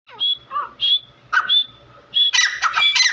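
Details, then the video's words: Two Iranian grey francolins (teetar), possibly fighting: loud, shrill whistled notes mixed with harsh, scratchy bursts, repeated in quick phrases that run together toward the end. "Teetar ki awaaz"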